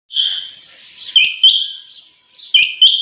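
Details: Female quail calling early in the morning: bright, high chirps in quick pairs with a wavering, buzzy tone running between them.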